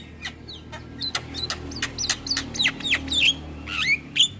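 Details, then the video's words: Tutor and lure recording for training birds, from a mix of starling types: quick clicks and chips build into rising and falling whistled slurs and raspy squawks, about three notes a second, over a faint steady low hum. "MAsteran & Pancingan Segala Jenis Burung Jalak Wajib Langsung Buka Suara"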